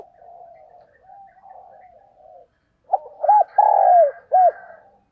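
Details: A lure spotted dove coos in the morning to attract wild doves. Soft, low, wavering murmurs come first, then a loud phrase of short arched notes, a long drawn-out coo and a final clipped note.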